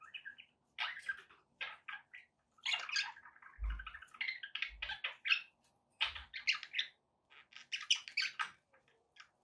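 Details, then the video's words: Pet budgerigars chatter steadily in rapid, buzzy chirps and warbles. A few soft low thumps sound underneath, and the phrases are separated by brief pauses. "relaxing budgie sounds"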